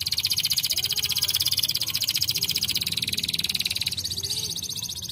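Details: Singing canary holding a long, rapid rolling trill of sharp high pulses, steady and unbroken for about five seconds before softening slightly at the end, low background hum.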